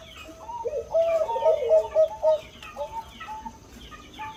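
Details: Zebra dove of the bangkok type, kept for its big voice: a series of soft, low, rolling coos with a slightly bubbling tone, repeated several times over a few seconds, with faint background noise.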